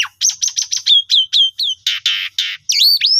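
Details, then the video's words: Asian pied starling song, used as a lure to stimulate a starling that has stopped singing: a rapid jumble of high chirps, then harsh grating notes and slurred whistles, all in quick succession. "Pancingan Jalak Suren Jitu Cocok Buat Burung Macet Pasti Gacor"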